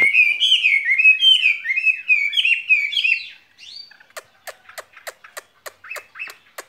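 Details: Spring love song from a caged skylark: about three seconds of quick, rolling warbled phrases, then a brief pause and a steady series of sharp clicks spaced evenly, mixed with soft chirps.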